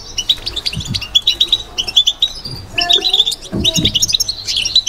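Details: European goldfinch in a cage giving batbata twittering song, crisp high chirps and jingling phrases broken by short gaps, with a few dull low knocks in the background.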